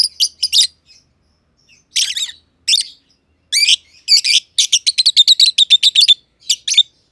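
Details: Two caged lovebirds, a green personata and a green pied personata, chirping together in an aviary: sharp high chirps in quick bursts, ending in a fast run of evenly spaced notes.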